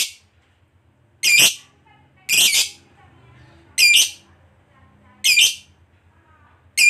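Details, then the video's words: Lovebird of the fighter type giving separate shrill, rasping squawks, one every second or so with silent gaps between, used as a lure for other lovebirds. "Suara Burung Lovebird DURASI PANJANG, TERBUKTI Paling Cocok Buat Pancingan Labet Agar Cepat Ngekek"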